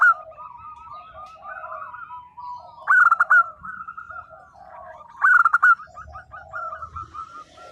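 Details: Local zebra dove in lively song, with soft rolling coos running underneath and two loud bursts of sharp, rapid cooing notes about two seconds apart.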